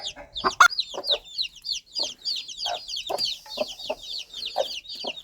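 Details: A mother hen clucks to her baby chicks, spaced low clucks roughly every half second beneath a constant stream of high, downslurred chick peeps.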